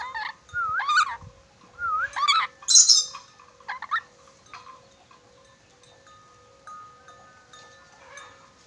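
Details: Sulawesi ornate lorikeet said to whistle cleverly and know many whistles: several looping, wavering whistled phrases with a few sharp squeaks in the first four seconds, then softer short notes over a faint steady tone.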